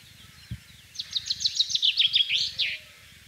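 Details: A common chaffinch sings in spring in the countryside of central France on 24 March 2012: one bright, fast phrase of nearly two seconds, descending notes ending in a flourish; low background rumble and a single click.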